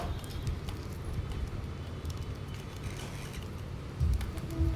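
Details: Low rumbling traffic and passing vehicles with soft thumps, and no animal voice.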